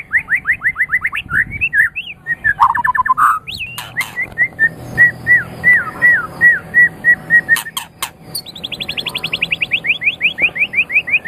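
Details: White-rumped shama of the Medan type, a champion-quality bird, singing to spur other birds into song: fast series of rising whistled notes, looping slurred phrases repeated several per second, clicks and a long run of buzzy descending trills.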